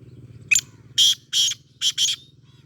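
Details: Sindhi black francolin giving harsh, rasping broadband bursts: one short note, then four longer grating notes in a quick rhythmic series, the last two close together. A steady low hum runs underneath.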